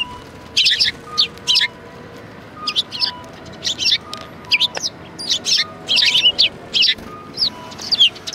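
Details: On 4 March 2020 at a Tenmangu shrine, sparrows give short, high chirps, alone or in pairs, scattered steadily across the recording, with soft low tones behind.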